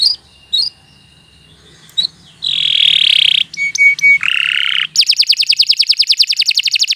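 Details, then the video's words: Canary song for tutoring young songbirds: a few scattered high chirps, then a loud buzzy burst, brief clipped notes, a lower rasping phrase, and finally a rapid, even trill. "Kicau Burung Kenari 86 II GACOR PANJANG Cocok untuk Masteran"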